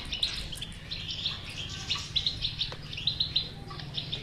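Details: Goldfinch bitbita, a song recording meant to coax a silent goldfinch into singing. Quick liquid twitters, then a run of three bright chiming notes near the end, with a constant low background drone.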